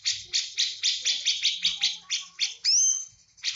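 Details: Javan cucak jenggot singing in full 'tembakan' style, roughly a dozen evenly spaced scratchy bursts followed by one long, clean upward-sweeping whistle and a final burst.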